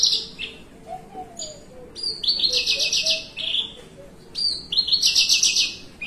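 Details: Javan bushlark, a kept bird sitting relaxed, singing a long 'melung panjang' song: bright high whistled phrases in bursts, with buzzy, trilled stretches and sharp upward slurs, over a low steady hum.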